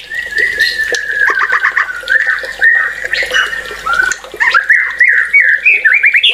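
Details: Caged white-rumped shama singing a rich, varied song: long whistled notes near steady pitch, a burst of rapid chattering notes, then rising and falling slurred whistles, with a constant low background hum.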